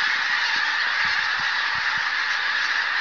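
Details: Flock of pink-footed geese near Martin Mere calling after a buzzard put them up. Many overlapping, yelping honks merge into an unbroken clamour with no gaps.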